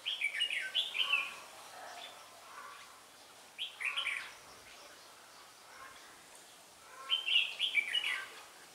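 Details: Red-whiskered bulbul serving as a trapping decoy at Ba Thá, 17 December 2016: lively chirpy warbling in three clusters of rapid phrases, each cluster separated by a few seconds of quieter pauses.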